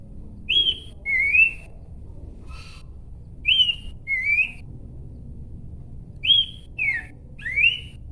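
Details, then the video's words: Horsfield's babbler song made of paired clear whistles, a higher slurred note then a lower rising one, repeated three times at intervals of about three seconds over faint background hiss. "SUARA DAN GAYA BERKICAU BURUNG PELANDUK SEMAK"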